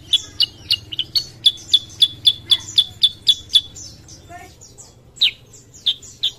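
Sooty-headed bulbul giving a quick run of about a dozen bright, high chirps, several per second, then a brief pause and a few more.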